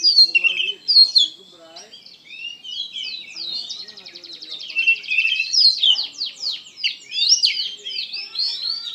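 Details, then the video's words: Oriental magpie-robin in lively, emotional song: a long stream of high whistles, rattling trills and quick downward-slurred notes, growing denser and louder toward the end. "KACER GACOR PENUH EMOSI"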